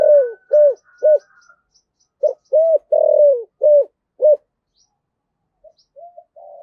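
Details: Cooing of a decoy spotted dove in the deep 'thổ' style: clipped hoots, then a phrase building to a long drawn, falling coo, with a thin whistle and faint ticks in the background.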